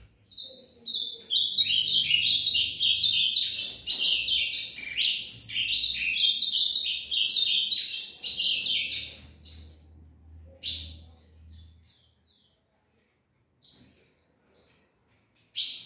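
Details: Ultramarine grosbeak giving its dawn song: a fast, continuous run of bright warbled and chirped phrases for about nine seconds, followed by a few isolated sharp notes with pauses between them. A faint low hum sits underneath.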